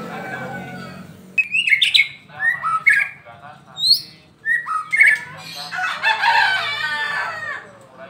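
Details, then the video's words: Caged white-rumped shama from Medan, described as an eager, frequent daily singer, delivering varied loud whistled phrases with sharp rising and falling notes and some harsher chattering, after a quiet, low-hum start. "MB Medan PASTOL harian RAJIN GACOR"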